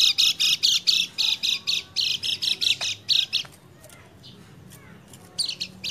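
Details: Lemon-bellied white-eye (kecial kuning) singing a lure track meant to stimulate a silent bird, dated 28/11/20: rapid high chattering phrases for about three and a half seconds, a quiet pause with faint notes, then another short burst.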